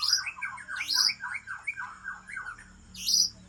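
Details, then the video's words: White-rumped shama, an original breeding bird of the Aceh type from Lamteuba, singing a quick run of repeated sliding chevron notes with sharp high whistles at the start, near one second and at the end. A faint low hum sits underneath. "Murai Aceh"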